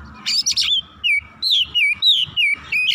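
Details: Oriental magpie-robin, agitated and showing its full repertoire, gives a scratchy burst followed by evenly spaced, loud, fluid whistled phrases that dip and rise, roughly three per second.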